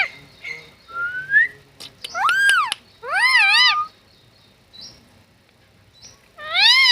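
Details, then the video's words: Talking parrot: a short rising whistle, then loud arched and warbling harmonic squawks, a pause with faint chirps, and another squawk to close. "Talking Parrot"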